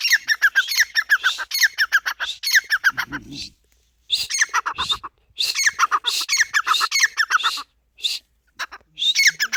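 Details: Grey francolin giving loud, harsh, rapidly repeated call notes in bursts of several seconds, separated by short silences, with a brief low murmur between bursts.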